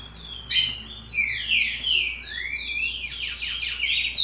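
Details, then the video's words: Sixty-day-old juvenile chestnut-bellied seed finch with song still forming: a sharp burst, then whistled rising and falling slurs leading into faster stacked high notes, over a faint low hum. "Curió Filhote Cantoria Indefinida 60 Dias"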